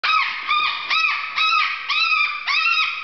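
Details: Excited, happy umbrella cockatoo on a kitchen floor, screeching loud harsh, rich-toned calls in a steady series of about six arched bursts, one roughly every half second, indoors.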